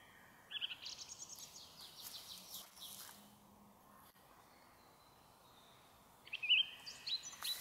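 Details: Evening song of a song thrush in woodland by a snow dump at Zarechny, 1 May 2023; a burst of repeated bright notes opens, a long pause follows, then loud sharp repeated phrases return toward the end.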